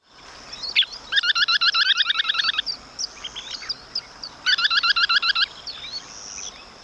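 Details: Semipalmated Sandpiper call, deeper than a Western Sandpiper's: two fast bursts of short, husky, rolling notes, about ten per second, with a few thin higher chirps scattered between.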